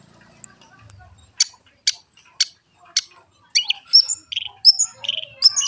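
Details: Long-tailed shrike song used for training: a run of evenly spaced hard clicks, followed by a lively jumble of whistled slurs, short trills and chattering notes.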